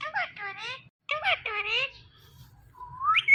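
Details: Indian ringneck parrot talking "Mithu Mithu": speech-like harmonic syllables in two quick groups with a short pause between them, ending on a long rising whistled note.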